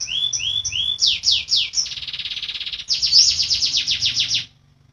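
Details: Caged-bird training song of a canary rolling: three rising whistles, quick downward sweeps, a buzzy trill, then a rapid run of high swept notes, stopping sharply.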